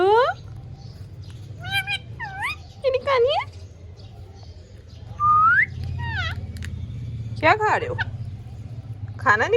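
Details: Captive green rose-ringed parakeet talking in Urdu/Hindi: a string of short, squeaky, word-like phrases and rising whistled syllables at irregular intervals over a steady low background hum.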